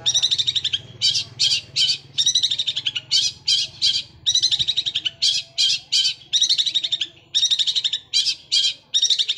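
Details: Long-tailed shrike with sparrow-type song and sewing-machine-like fast rolls: high harsh chirps in clustered bursts, with brief gaps between runs, continuing throughout.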